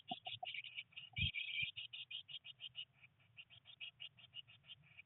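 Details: Day 19 in a blue tit nest box: three nestlings, rain outside, first flight attempts. High chirps pour out in a steady fast series, roughly ten per second, with a couple of dull knocks early on.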